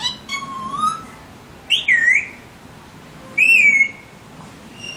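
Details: Clear whistled notes from Alexandrine parakeets, some swooping down and up, others level, come in short separate phrases with quiet gaps between them.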